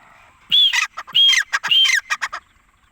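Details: Grey francolin (Ortygornis pondicerianus) calling: loud, shrill whistled phrases, a clear rising note followed by harsh grating bursts, repeated three times about every half second.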